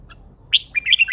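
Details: Female red-whiskered bulbul, wild-caught and mature, used to excite male birds; a faint chip, then a loud, ringing note and a fast string of liquid warbled notes that rise and fall.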